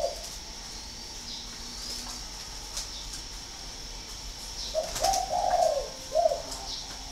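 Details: Spotted dove at a Ba Vì, Hanoi bird farm, mostly quiet at first, then a short burst of hollow coos near the end, with a faint steady high whine and light clicks.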